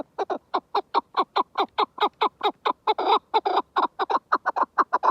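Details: Rapid series of dry, downward-sliding chuk notes from a chukar partridge, repeated more than twice a second without pause across the whole stretch.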